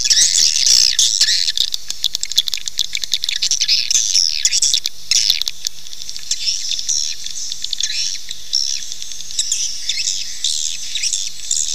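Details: Swiftlet calling sound to attract nesting swiftlets: loud shrill twittering at the start, fading after about six seconds into quieter scattered chirps and faint ticking.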